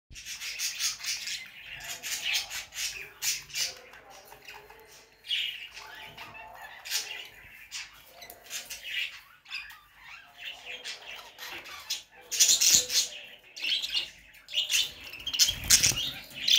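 Budgerigars warble in a fast, scratchy chatter of chirps, clicks and squawks.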